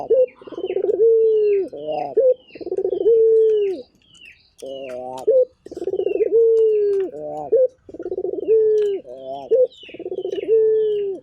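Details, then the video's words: Local turtle dove cooing vigorously in a steady rhythm: each phrase is a throaty, stuttering roll and a long, level coo, ending in a short upturned note. The phrases repeat about every two seconds with brief pauses. Thin chirps of other birds sound throughout. "Burung Puter Gacor"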